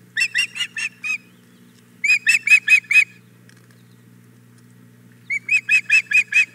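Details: Female osprey at the Hog Island Boathouse nest on 4 May 2017, around 9 am, begging for the fish the male brought: three bursts of sharp, whistled chirps, about five to six notes each, separated by pauses.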